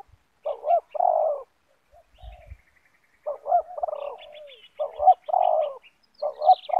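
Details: Spotted doves of the loud banggo calling type in a yard, a captive decoy answering a wild bird: repeated hoarse, throaty coo phrases with gaps between them, plus faint high chirps.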